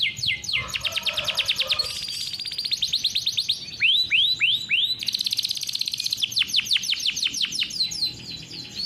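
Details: Captive-bred domestic canary giving long rolling song meant as a model for training young canaries: rapid rows of high downward-sweeping notes, a buzzy trilled roll, then a set of slower looping swoops and another fast rattling series.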